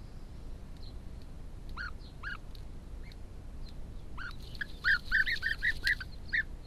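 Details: European bee-eaters building nests on land near Sao Marcos da Serra in Portugal's Algarve; a few spaced trilled notes, then a quick run of rolling calls repeated about three per second, over faint low rumble.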